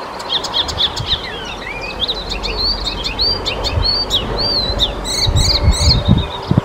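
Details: Icterine warbler singing in the Czech Republic: a fast, chattering run of varied high chirps, whistled slides and grating buzzy notes, ending in rasping bursts, with low background rumble.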